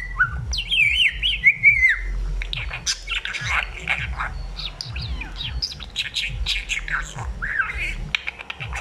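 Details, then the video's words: A talking budgerigar chatters in a fast, warbling stream of high chirps, squeaks and whistled slurs, with a low rumble of background noise throughout. Budgerigar. "grasparkiet lekker aan het kletsen. talking budgie"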